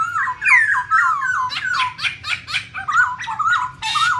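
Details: A female black laughingthrush with a male, played to stimulate other birds to sing: rolling, slurred whistles about twice a second, joined by bursts of harsher, buzzy chattering notes from a second bird.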